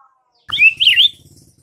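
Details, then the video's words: White-rumped shama in morning song, meant to make rival shamas answer: one brief, bright, twisting whistled phrase over a faint low rumble. "MASTERAN Murai Batu di PAGI HARI , bikin Murai batu Lawan langsung BERSAUTAN seketika"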